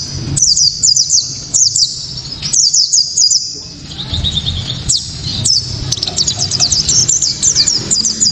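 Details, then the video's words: High, sharp 'tembakan' song of a white-eye, played to draw other white-eyes into song and to train songbirds: short bursts of fast, shrill chirps, about one burst every second, separated by quiet gaps, with steady low hum behind. "Pleci kaca mata‼️tembakan‼️penuh sensasi‼️"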